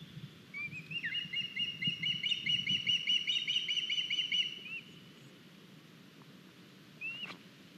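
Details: Young osprey returning to its nest in Estonia with a big fish, 9 August 2021; roughly four seconds of quick, evenly spaced high piping notes, then quiet and one brief rising whistle near the end.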